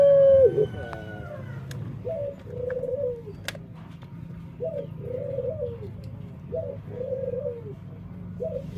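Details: Dove with a distinctive, unusual song: a high whistled note bending down at the start, then short rhythmic coo phrases repeated about every two seconds, each a quick rising note into a wavering hoot.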